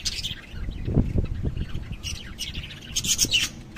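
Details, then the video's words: Lovebirds giving short, sharp high-pitched squawks and chirps, strongest in a dense burst near the end, over a steady low rumbling background. "LOVEBIRDS SOUND"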